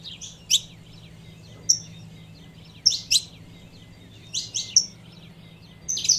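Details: Saffron finch female calling to get the male going, giving scattered bright chirps in small clusters with brief thin whistles between them, against a constant faint low hum.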